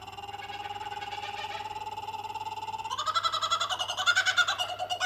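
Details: Two kookaburras call at night on a street in Sawtell, giving a rapid run of harsh, pulsed notes that swell louder and climb in pitch halfway through, over a low steady hum.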